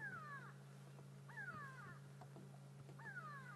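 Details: Grey go-away-birds at dawn on 31 May in a South African private game reserve give drawn-out, nasal, downward-sliding alarm cries about every one and a half seconds, apparently at a hyena, over a steady low engine hum.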